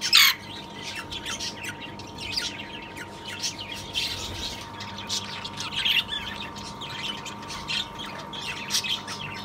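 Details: Two-year-old breeding rosellas, a black split to red cinnamon lutino cock and rubino hen, kept in an aviary; a sharp squawk opens, followed by scattered high chirps and whistles over a constant low hum.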